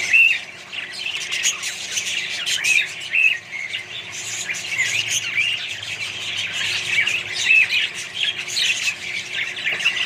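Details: Budgerigar colony with mixed birds: steady warbling chatter, punctuated by a few clear, thin whistled notes and short chirps. Many voices overlap throughout.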